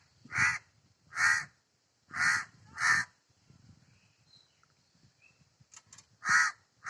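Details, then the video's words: Four harsh crow caws close together, followed by a quiet stretch with faint rustling and clicks, then one more loud caw at the end. "Crow 🔊sound."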